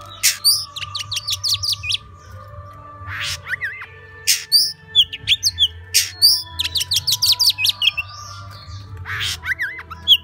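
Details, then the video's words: Song of an Oriental magpie-robin in the "múa 13 kiếm" style: repeated fast trills of sharp, high, slurred notes mixed with harsher bursts and rising-falling whistles, phrases returning every few seconds, a low droning hum underneath. "Choè than hót múa 13 kiếm"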